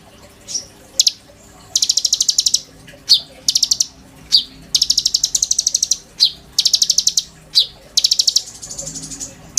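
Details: Caged oriental magpie-robin used as a white-rumped shama tutor, sujud style, singing a varied phrase: repeated bursts of rapid high chipping notes broken by single sharp down-slurred whistles, continuing for nearly ten seconds.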